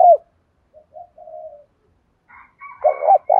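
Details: Spotted dove cooing in 'đồng pha' style to spur fighting and draw out newly caught birds. A coo ends, soft low notes follow, then higher faint notes lead into a stuttered double note and a long coo.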